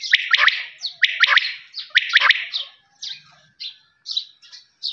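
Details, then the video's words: Quail calling with loud, raspy phrases of quick stacked notes, repeated about once a second, then fading into scattered short high chirps. "Voice of quail's"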